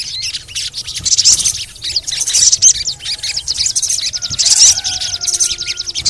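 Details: Sogon, or crimson sunbird, sound meant to lure other sogon birds to sing: continuous high, thin twittering and rapid ticking trills, swelling into louder sharp squeaky bursts about every second, with faint low background rumble.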